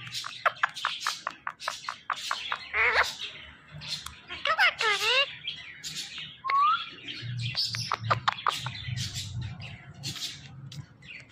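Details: Female talking pet parrot at play with her best friend, producing a long run of sharp ticking chirps broken by zigzag warbled notes and a short upward whistle.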